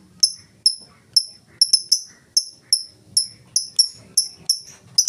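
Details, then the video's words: Lovebird giving the 'ngetik' ticking song without 'ngekek', used as a lure for other lovebirds. Steady series of about fourteen piercing, high chirps, evenly spaced at roughly two or three per second. "Lovebird full ngetik cocok buat pancingan Lovebird mu!!!"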